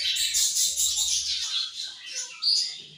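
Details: Many budgies chattering at morning feeding time, a loud steady stream of high warbled chirps, strongest at the start, with one brighter whistled note near the end.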